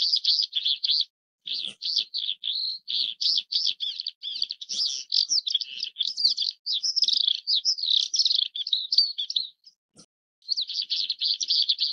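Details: Oriental skylark (Alauda gulgula) giving sustained high chattering song: dense chirps and trills in long runs, broken by a couple of short silences, the final burst a buzzy rapid rattle.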